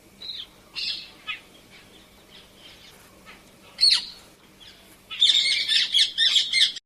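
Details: Painted Spurfowl call: a few scattered sharp notes and a downward-sweeping squeal, then a loud run of rapidly repeated harsh, buzzy chirr bursts lasting over a second, with no other clear sounds.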